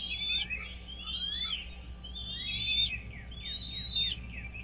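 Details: Wild American bald eagle at its nest on Dale Hollow Lake, a reservoir on the Kentucky-Tennessee state line, filmed by a nest camera on 17 April 2023 at 07:24. It gives high, thin whistled notes that run into descending chittering series, repeated several times.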